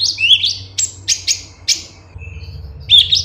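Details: Cucak cungkok bulbul song, clear recording meant for training caged songbirds: bright, buzzy and whistled high notes, a quick run of bursts followed by a pause and a final warbled phrase, with a low hum underneath.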